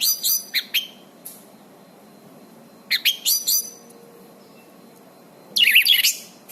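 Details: Orange-banded thrush singing, a recording used to train caged birds and revive ones gone quiet. Short scattered bursts of harsh, chattering notes come in three groups separated by long gaps, with steady faint background hiss.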